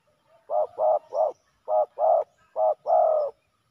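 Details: Spotted dove males in a fight at a ground decoy setup, giving rounded, hollow coos in quick groups, brief notes leading into a longer drawn-out one, close and clear.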